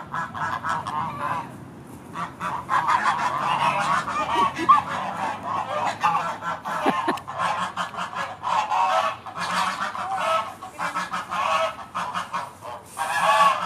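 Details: A flock of geese at Beamish, heading to bed in the evening, keeps up an overlapping chorus of nasal honks that rises and falls without pause.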